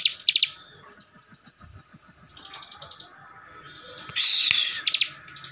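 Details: Caged Javan sunbird from Tegal, Central Java, singing continuously to provoke rival birds: a long high wavering trilled whistle, then buzzy noisy bursts with sharp clicking notes, over faint low background chatter.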